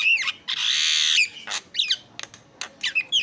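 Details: Javan myna in a tutor recording, opening with a dipping whistle, then a long harsh rasp followed by scattered squeaky whistles and clicks.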